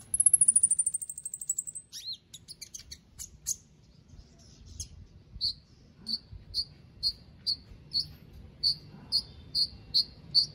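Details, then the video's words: Caged contest White-rumped shama from Palu, Central Sulawesi, in an online song competition: a high descending trill, then a few scattered notes, then short sharp chirps repeated about every half second. "LOMBA KONIN ONLINE 20 - Aksi KONIN"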